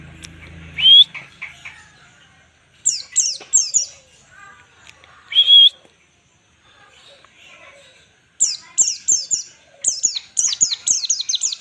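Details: White-eye giving full ngalas song for training other birds: two loud rising whistles, then runs of high, quick, descending chirps that grow denser toward the end.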